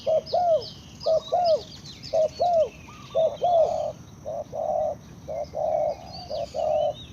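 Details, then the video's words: Spotted dove cooing in repeated low mellow phrases, each a short note followed by a rounded coo, about once a second, with other birds chirping faintly high above and steady background noise. "Sound Of Spotted Dove is so good"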